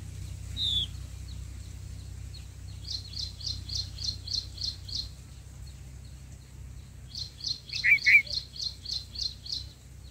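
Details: Black-headed bulbul nest with the mother feeding chicks; two bursts of rapid, high, evenly spaced chirps, about eight notes each, plus a pair of lower, buzzy notes and an early single note.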